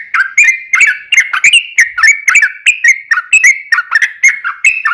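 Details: Yellow-vented bulbul singing its long ropel song as bait to make other bulbuls answer: continuous rapid warbling of bright, dropping and rising whistled notes at a lively, even pace.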